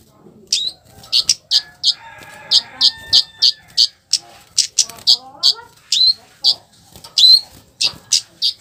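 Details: Scarlet-headed flowerpecker giving a rough call intended to prompt rival flowerpeckers to reply: a long series of very high, clipped chips at fairly steady pace, with a faint whistled tone and low speech in the background.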